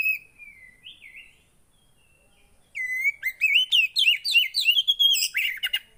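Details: A faint, thin whistle opens, then silence, then a loud run of fast, high, looping warbled notes and chips. Javan white-eye song used to restart a bird that has stopped singing.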